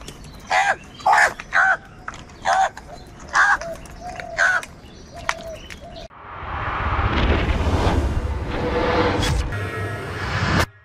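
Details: Many crows calling, reportedly fighting over food: a run of harsh, loud caws about every half second for six seconds, then a steady roar of traffic-like noise fills the rest.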